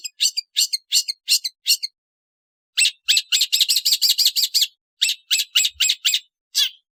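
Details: Long-tailed shrike (Lanius schash) uttering bursts of loud, scratchy rasping notes: five spaced notes, a pause, then a rapid chattering run followed by several slower harsh notes.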